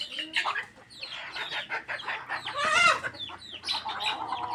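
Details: Chickens gathered while being fed, producing a crowded mix of rapid clucks, nasal squawks and drawn-out wavering notes that swell loudest near the middle before easing off.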